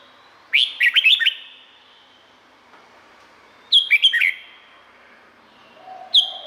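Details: Thai Red-whiskered bulbul song played to stir up other birds: three brisk, jumbled whistled phrases, each a rapid cluster of rising and falling notes, separated by pauses of about three seconds.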